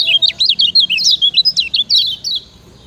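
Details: Lemon-bellied white-eye (kecial kuning) from Lombok, used as a master recording for training other birds: a fast, continuous chatter of high, sharp chirping notes, about a dozen quick slurred syllables in under three seconds.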